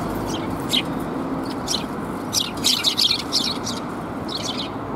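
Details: Sparrows arriving to be fed in front of a civic hall on 23 November 2021; short high chirps in scattered bursts, several overlapping around the middle, over a steady low rumble of background noise.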